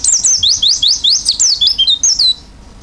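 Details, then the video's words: Oriental white-eye singing with open beak: a continuous run of lively high whistles in zigzag rising and falling sweeps, ending after about two seconds in near quiet. "pleci gacor isian buka paruh"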